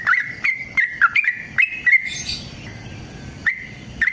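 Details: Long fighting song of a yellow-vented bulbul, used to prompt other bulbuls to sing; fast burst of bright whistled notes for two seconds, then a softer buzzy passage and a few spaced notes.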